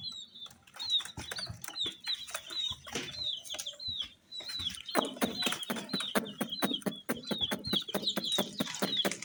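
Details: Colour-dyed chicks peeping continuously, high descending cheeps overlapping in a steady stream, with frequent clicks and knocks underneath, louder in the second half.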